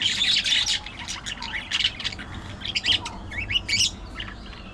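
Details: Budgerigars chattering in quick bursts of sharp chirps and twittery squeaks, with a lively run of slurred whistled notes near the end.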